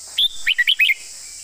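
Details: Red-whiskered bulbul performing a master-song style with graceful phrasing: one clear high whistle followed by four quick, slurred, chirpy notes, all crisp and loud against a faint constant high-pitched hiss.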